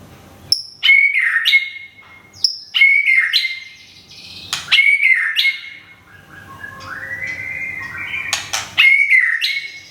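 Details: A white-rumped shama from Thung Song, Thailand, nearly through its molt, sings loud phrases about every two seconds. Each opens with a high whistle and a sharp note, then a rich, sliding warble. Later comes a rising, climbing run.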